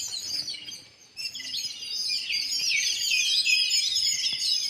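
Sparrows chirp busily in an overlapping chorus of short, high, bright notes, about two a second, with a brief lull before the chattering swells again.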